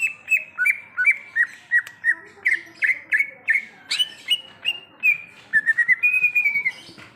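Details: Greater green leafbird in the wild repeating clear whistled two-part notes roughly three per second, the pitch shifting slightly, finishing with a quicker twittering run and a sustained whistle.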